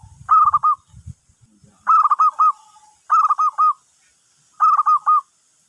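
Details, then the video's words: Zebra dove giving a lure call that draws other birds in: four phrases of three or four rapid, rolling staccato coos, about one phrase every one to two seconds, with low thumps at the start. "Perkutut Pikat, burung lain pada nyamperin"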